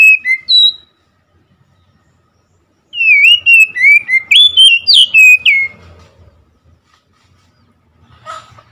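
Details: Oriental magpie-robin: two short whistles open, then after a pause a rapid run of about ten bright whistled notes, some sliding up, others dropping, with a faint low rumble in the background.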